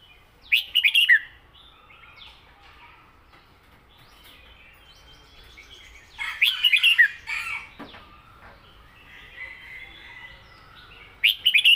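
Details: Red-whiskered bulbul kept in a cage, delivering southern-style song: three short, loud warbled phrases of rapid up-and-down whistled notes spaced several seconds apart, with faint rustling and quieter chirps in between.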